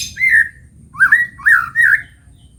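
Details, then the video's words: White-rumped shama singing in the morning: four rich, warbled whistled phrases with bending pitch, each about half a second, backed by a low hum. "Kicau Pagi Murai Batu"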